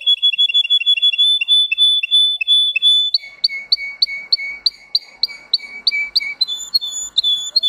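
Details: Green canary, a Russian canary bred for singing, giving a song of high tone variations: rapid, even repeated chirps in one high tour, then a lower two-part repeated phrase, then a new higher tour, all on a clean, quiet background.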